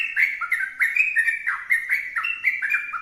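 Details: Vigorous sooty-headed bulbul song, a quick stream of liquid whistled notes that swoop down and back up in short, tightly linked phrases, with little background noise.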